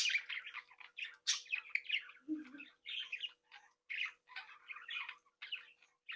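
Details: Happy behaviour of a captive budgerigar breeding flock: lively overlapping warbles and chirps, with a brief low rasp partway through, then steady choppy chattering.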